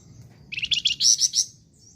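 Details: Flamboyan bird singing energetically. Quick high chirps accelerate into a strident buzzy trill of a few piercing notes, the whole phrase lasting about a second.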